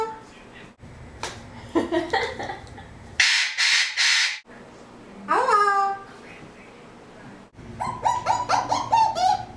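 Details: Adopted 13-year-old male Eclectus parrot kept indoors, which says hello, wow, huh and aaaw, sings and gives kisses: a varied run of harsh squawks, a loud rasping burst, a rising then falling whistled call and a fast series of clipped notes.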